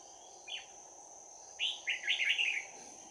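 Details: Red-whiskered bulbul, bell voice, in a close-quarters fight at a trap in Đồng Nai on 11 January 2019; a single chirp, then a fast string of five or six bubbling, slurred whistles, over a continuous shrill hum.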